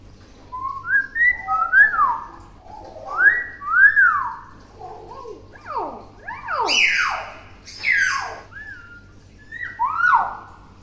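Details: Tame, clever pet common hill myna that talks and imitates many words, giving loud whistled notes that slur up and down in sweeping arcs, some harsh broadband bursts between them, in a small indoor space.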